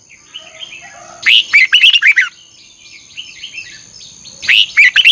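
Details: Red-whiskered bulbul singing in the morning during training, a vigorous double-twist song style: two bursts of rapid, loud, warbled and chirpy notes, with softer slurred whistles from other birds and a steady high hum between them.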